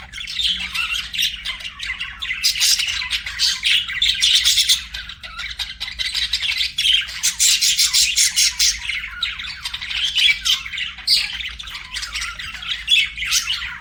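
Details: Pet budgerigars singing and chirping: a dense, continuous chatter of scratchy squawks, chirps and warbles in bursts, several birds overlapping, with no other clear sounds.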